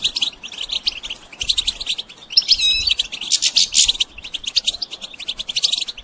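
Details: Goldfinch singing, used to stimulate and train songbirds. A rapid, jangling stream of high chirps with a ladder-like trilled phrase and loud buzzy bursts midway, then steady twittering.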